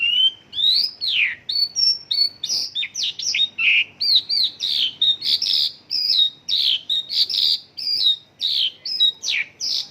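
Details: Varied, warbling medley from a Mongolian lark whose song is filled with local bird phrases, mixing swooping slurs with buzzy, rolling notes almost without a break.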